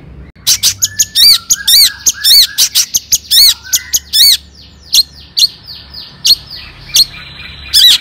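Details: Long-tailed shrike song of the "toet toet" style, used to provoke other shrikes into singing: rapid runs of sharp chevron-shaped chips, short whistled insertions, then a few spaced harsh notes with brief pauses between them.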